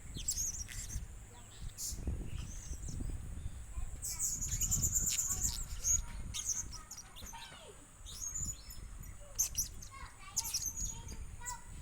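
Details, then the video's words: Young tame blue-crowned hanging parrot, one year old, hand-raised from a chick: thin, very high squeaky chirps given in short irregular bursts, some rapid trilled runs, over low rumbling background noise. "Burung serindit muda jinak"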